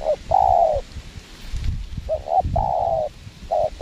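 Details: Spotted dove answering a lure bird in windy conditions: short coos and long flat coos in sequence, with wind rumbling beneath.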